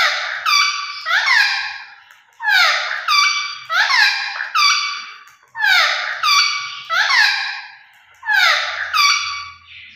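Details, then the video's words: Parrot vocalizing at close range: loud, rich harmonic squawks in paired bursts, each note sliding down then rising, about five groups across ten seconds with short pauses, in a quiet setting with almost no background noise. "Parrot Talking Vice Sounds"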